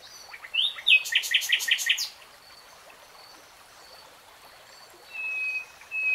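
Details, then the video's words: Common nightingale in song: rising whistled notes, then a burst of loud, harsh, rapidly repeated chacks. A quiet pause follows, then two short thin high whistles over a soft background hiss. "NIGHTINGALE SONG 3 Hours REALTIME Nightingale Singing"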